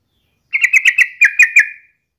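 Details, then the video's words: Lively sooty-headed bulbul, used as a daily lure so other bulbuls sing: a single quick burst of about eight bright whistled chirps run together, trailing off into silence. "KICAU SUARA trucukan gacor ini COCOK BUAT PANCINGAN HARIAN agar burung trucuk gacor & rajin bunyi"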